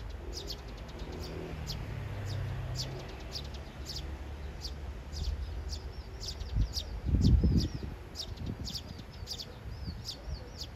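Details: Three sparrows in a courtship tangle: one male courts a female step by step while a third imitates him and both chatter for her attention. A sparrow gives short, high chirps several times a second, steady throughout, over low outdoor rumble and a brief thump.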